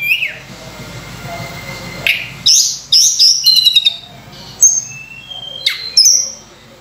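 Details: Lure song of a Sunda robin for training other birds: a drawn-out whistle fades into quiet, followed by sharp buzzy bursts, a rapid trill and high clear whistled notes with gaps between them.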